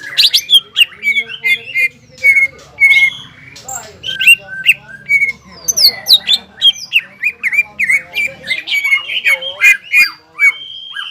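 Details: Greater green leafbird delivering loud gacor ngobra and jamtrok song: bursts of sharp chips, squawks and whistled slurs in quick succession, running continuously for over ten seconds.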